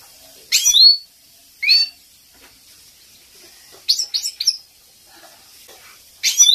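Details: Captive European goldfinch training song, a female's call played to excite male birds: bright, high twittering notes in short bursts, some with quick rising sweeps, spaced irregularly with brief pauses between.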